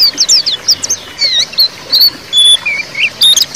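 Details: White-eye (pleci) 'ngeriwik' chatter, used as a lure to get silent male white-eyes singing: a rapid, high twitter of thin slurred whistles and chips in quick bursts, with no other sounds.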